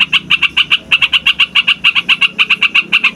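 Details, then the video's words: Yellow-vented bulbul (trucukan) in a noisy rolling song for trapping and tutoring birds: crisp, separate chirps about five per second, in small uneven clusters. "TRUCUKAN RIBUT BUAT PIKAT"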